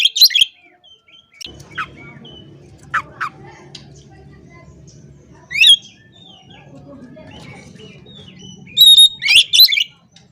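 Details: Oriental magpie-robin singing to provoke rival males, said to make them agitated and spread their tails. Loud, brief bursts of sharp chattering and whistled notes come in separate spurts, with a quiet low murmur filling the gaps between them.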